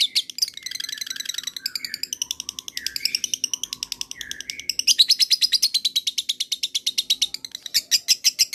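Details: Lovebird in a long trill, the 'ngekek panjang' style sought by Indonesian bird keepers and used to make other lovebirds answer: a continuous, rapid, high chattering stream of notes lasting the whole stretch, with brief changes in texture.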